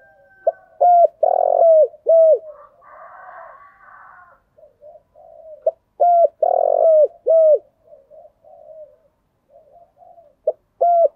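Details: Spotted dove calling, a recording used as a lure, giving full cooing phrases: low hollow coos near 600–700, grouped in three-note phrases that repeat about every five seconds, with softer murmuring coos between phrases.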